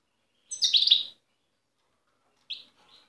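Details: European goldfinch singing in the wild at Tiaret, taped in 2015: a dense burst of high tinkling chirps, followed after a pause by two quieter short twitters.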